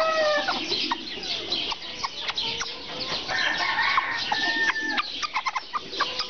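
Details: Serama chickens with bursts of sharp clucks and short level crows overlapping, the flock calling almost without a break.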